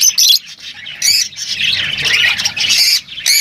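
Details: Lovebirds calling with harsh, loud squawks in bursts, broad and high-pitched, separated by brief pauses, with a continuous chattering wash between them.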